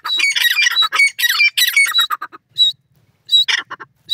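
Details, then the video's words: Calling to their parents, young grey francolins (Dakhni teetar chicks) give a packed two-second stream of scratchy squawks, then scattered single harsh notes with short pauses, plus faint low knocks in the quiet gaps. "Sweet Sounds of Teetar Chicks,Dakhni Teetar Baby Ki Awaz"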